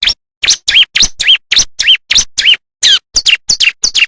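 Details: Bar-winged prinia singing in the wild, a natural recording used for tutoring caged birds: loud, rapid series of sharp, chirping notes that sweep down then up, repeated about three times a second, with abrupt silences between notes.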